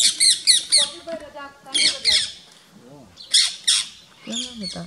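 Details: Rose-ringed parakeets trying to drive off a rat snake by nipping its tail in Gir Forest, Gujarat, India, on 3 April 2015. Three quick rasping screeches, then further harsh bursts mixed with human voices.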